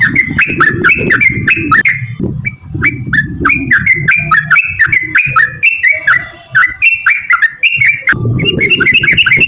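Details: Sooty-headed bulbul delivering nonstop 'gacor' song in the long rapid 'ropel' style: quick, bubbly whistled phrases repeated back to back for the whole stretch, with low rumbling background noise.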